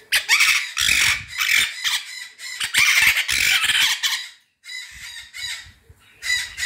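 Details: Pet white-fronted amazons, excited and noisy while mating, giving loud, harsh, raspy squawks in bursts with a brief pause, with a person talking to the birds nearby.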